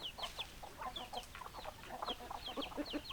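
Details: Hens and roosters of a chicken flock: distinct falling peeps alternate with short, mid-pitched clucks in a lively, irregular rhythm.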